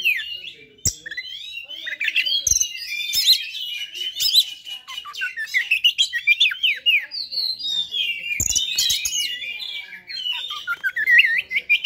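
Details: Oriental magpie-robin fighter song used to provoke other magpie-robins: a dense, rich stream of whistles, sweeping slurs and sharp chattering notes running almost without pause, with a few clicks or knocks in the background.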